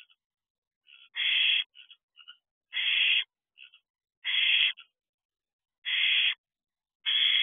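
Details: Barn owl owlets in an owl box just after midnight on June 9, 2023, allopreening one another; harsh, raspy hissing screeches of about half a second each, repeated every second or so, with softer short rasps between them.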